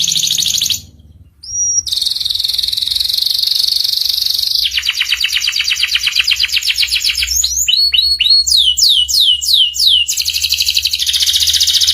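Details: Canary master song for young canaries to learn the ngeriwik sound: a short whistle, then a long rapid buzzy trill, followed by a series of quick descending swept notes and another dense trill.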